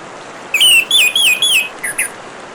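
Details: Orange-headed thrush singing over a steady hiss of running water: a short phrase of clear, wavy whistled notes repeated three or four times, then two brief higher chirps.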